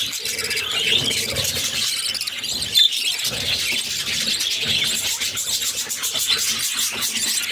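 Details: Begging budgerigar chicks, a brood of six, being fed by their mother; a steady, harsh, hissing squeal runs throughout, with one sharp squeak near the middle.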